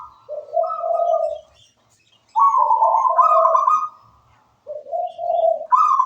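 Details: Zebra dove, local wild type, singing energetically: warbled coo phrases with a low rolling section and a higher trilled part, repeated three times with pauses of about a second.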